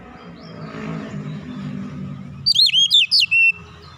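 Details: Oriental magpie-robin giving relaxed lure song to coax other birds into singing. A low rumbling background comes first, then a loud one-second phrase of bright, looping whistles.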